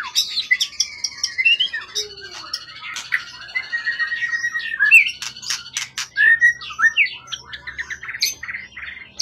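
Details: Competition bird of wild forest origin with a 20 cm-plus tail, singing in top condition: a dense mix of harsh squawks, rapid clicks and varied whistled phrases, loud and energetic throughout.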